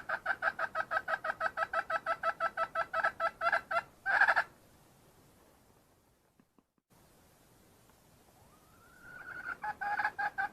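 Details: Red junglefowl hen in the wild giving a steady run of short, sharp clucks, then a quiet gap, a rising note, and the clucking series starting again.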